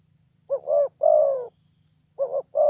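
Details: Spotted dove lure with a big voice, played to make rival birds agitated: a short coo, a rising double note and a long sustained coo, then the phrase starts again, over a low hum and a high whine.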